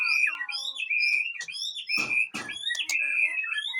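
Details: Captive Aceh white-rumped shama at a breeding farm: clear whistled notes holding steady, with rising and falling slurs, interrupted mid-clip by two short broadband bursts, possibly speech or handling noise.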